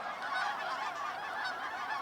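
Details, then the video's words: A large flock of Canada geese near Aberdeen, Saskatchewan, Canada, beside an old grain elevator gives a dense, continuous chorus of overlapping nasal honks, many birds calling at once with no pause. "你们听这个声音就是这个大雁"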